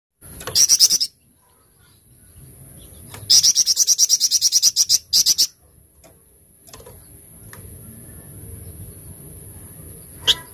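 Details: Golden-bellied gerygone (flamboyan) singing in the tembakan cadas style: a short burst of rapid, sharp, high notes, then a longer run of about fifteen piercing repeated notes, a brief third burst, and a quiet pause with low background hum.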